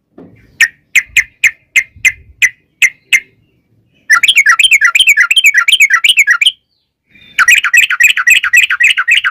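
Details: Lure recording of an energetic yellow-vented bulbul in long 'ropel' singing: spaced sharp chirps about every third of a second, then long runs of very fast warbling, wavering chirps.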